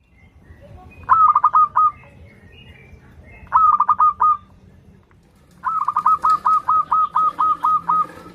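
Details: Local zebra dove in full voice, used as a lure for young singers learning to perform: two short rolling coo phrases, then a long run of about eleven evenly spaced bubbling notes, over a soft background hum.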